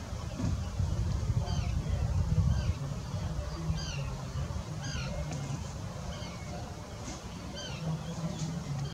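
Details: Pied Avocet at Washington WWT giving short, clear, fluty 'kluit' notes every second or so, set against a heavy low rumble of wind.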